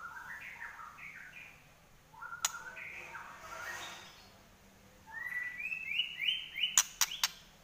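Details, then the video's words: Quiet fighting song of a white-rumped shama in trotol style: stepped, rising whistled phrases repeated in short runs, then a louder series of rising notes near the end with sharp clicks. "Murai Lepas Trotol Tarung"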